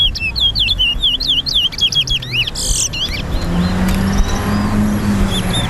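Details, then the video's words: Chestnut-bellied seed finch (towa towa) singing in a song race at Lusignan bird ground, Guyana, while song rounds are counted: a fast run of sweet, warbled whistles, rising and falling, fading after three seconds, with low traffic hum and faint voices. "TOWA TOWA BIRD RACE"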